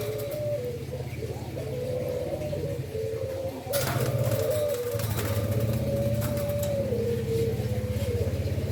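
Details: Breeding endemic dove in Indonesia cooing in low, drawn-out wavering phrases, partly masked by a loud low droning hum and a burst of broadband noise midway.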